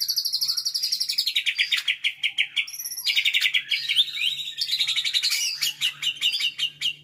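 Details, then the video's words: Caged nine-month-old white-rumped shama mimicking tutor birds such as lovebird and canary pours out continuous high rapid trills and chattering runs, with a faint low hum beneath. "MB BRUCE LEE"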